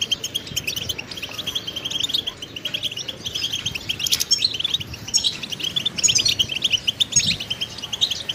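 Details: Goldfinch training song: a softer, continuous high twittering of rapid chirps and liquid trills, with a few brighter buzzy phrases toward the end.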